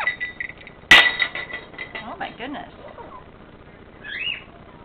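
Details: A 13-year-old male pet Panama amazon (Amazona ochrocephala panamensis), with slight chest plucking, gives a sustained whistle, speech-like chatter and a brief rising whistled squeak; a sharp clink and people talking are heard.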